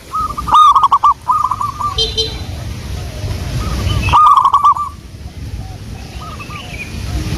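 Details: Local wild zebra dove cooing used as a lure: two loud bursts of quick, rolling coo notes separated by quieter trilled phrases, with faint background chirps and low rumbling noise.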